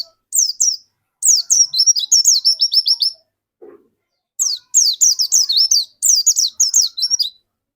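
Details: Dakun white-eye singing strongly in a cage, used to prompt other white-eyes to sing: several bursts of quick, shrill twittering with slurred whistled notes, separated by short pauses.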